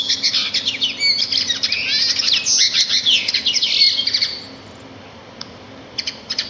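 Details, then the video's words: Sparrows singing out in nature: a rapid jumble of high twitters and slurred chirps lasting about four seconds, then a near-quiet stretch with a few short ticks. "صوت العصافير في الطبيعة"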